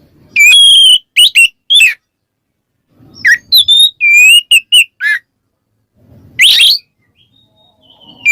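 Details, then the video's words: White-rumped shama ngeplong song meant to call an opponent: sustained whistled notes with stepped pitch, short clipped harmonics and a harsh rasp, in groups separated by silent pauses, light low rustling. "suara burung Kacer NGEPLONG memanggil lawan bikin Kacer lain EMOSI"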